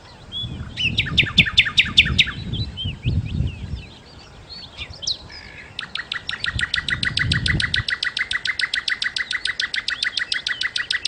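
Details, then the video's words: Common nightingale sings varied whistled and chattering phrases, then a long fast series of sharp repeated notes, about two or three per second, over a low rumble. "kicau Sikata Londo( Nightingale Birds )"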